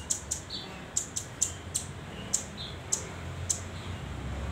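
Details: Young hand-reared velvet-fronted nuthatch, locally called rambatan doraemon, just learning to perch and sing; sharp, very high chips given singly and in quick pairs, about a dozen over four seconds, over a soft low hum.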